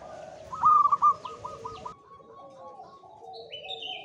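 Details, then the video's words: Male zebra dove, local wild bird in high breeding condition, gives one brief burst of quick bubbling coo notes, followed by softer doves in the background and a thin high whistle from another bird. "SUARA PERKUTUT LOKAL JANTAN BIRAHI TINGGI"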